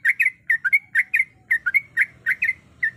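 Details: Sooty-headed bulbul female calling for a male, uttering clear, slurred chirps in quick pairs and singles, about a dozen notes across three seconds, over a soft low background murmur.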